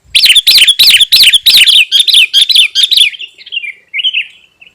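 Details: Sooty-headed bulbul song for attracting wild birds and provoking rival birds: about a dozen sharp, evenly spaced chirps, each with a quick downward twist, then softer, trailing notes that fade out.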